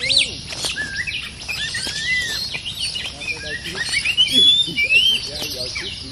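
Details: Aggressive resident oriental magpie-robin answering a decoy-cage lure: a steady stream of chirps, slurred whistles and harsh notes, ending in longer clear rising whistles, with soft human speech in the background.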